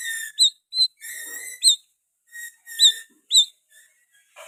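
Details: Oriental magpie-robin in full, continuous song laced with sooty-headed bulbul phrases. Here it gives sparse, clear high whistled notes and short upslurred chips separated by brief pauses, with no other sounds.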